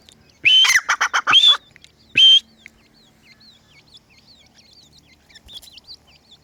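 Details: Francolin chicks (teetar): loud, harsh, buzzy pulsed bursts open the recording, one more short burst follows, then a string of soft, high, slurred peeps continues quietly to the end.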